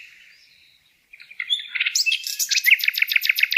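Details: Bird song opening with a soft, thin warble, then swelling into a loud, rapid run of high repeated notes pulsing about four times per second.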